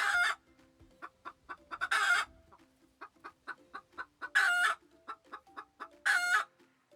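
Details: Chicken clucking: loud, harsh squawking clucks at roughly two-second intervals, with soft short clucks repeated rapidly between them and a faint steady tone underneath.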